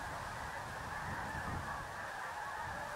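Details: Dense flock of resting migrating snow geese at Freezeout Lake WMA near Choteau, Montana, a wetland among grain fields, giving a steady wash of overlapping nasal honks and yelps with no single voice standing out.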